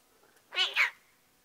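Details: A magpie named Pie, a pet who talks nonstop when happy and comfortable, gives a single clear two-part mewing call, rising then falling, like a cat's meow, with a quiet room behind it on a spring day with snow melting and water dripping from the eaves trough.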